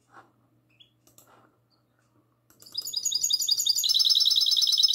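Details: Goldfinch hybrid singing in classic song style, recorded on the night of 22 March 2020: a few soft chirps, then a loud, fast, buzzy trill of high repeated notes, about four per second, in a quiet room.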